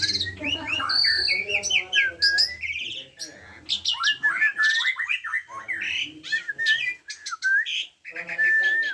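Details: Asian pied starling delivering loud continuous song of downslurred whistles, nasal buzzy notes and metallic chatter, with a short quiet gap midway.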